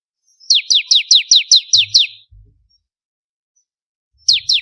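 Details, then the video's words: Bar-winged prinia (ciblek kristal) in one of four song variations for training songbirds. Eight bright chirps, each dropping sharply in pitch, then silence with low knocking sounds before another run begins. "Masteran suara burung ciblek kristal 4 variasi"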